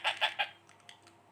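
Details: Three quick, harsh rasping squawks, about one every 0.15 seconds, from a female rose-ringed parakeet chick being hand-fed seven days after hatching, followed by faint clicks and soft rustling.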